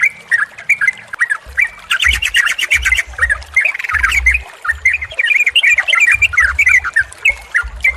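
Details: Yellow-vented bulbul singing, used as therapy to get a silent caged bird to sing again. A lively stream of liquid, warbling, chattering phrases is broken by low dull thumps.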